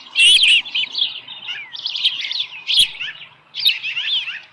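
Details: Osprey nest on the morning of 13 July 2018 with a small live fish present. Short clusters of high, downward-slurred whistles separated by quieter pauses, one sharp click in the middle.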